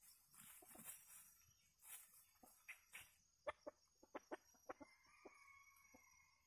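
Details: Red junglefowl, a decoy rooster luring a flock of wild junglefowl to feed alongside it: a run of sharp, clipped clucks at uneven intervals, followed by a faint, distant crow with a long held note, over a hissy outdoor background.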